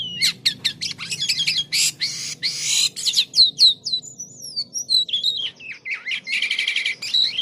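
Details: Jalak kapas starling singing energetically with odd phrases: rapid sharp clicks and harsh buzzy bursts, then a run of thin descending whistles and wavering slurs, ending in a rattling buzz.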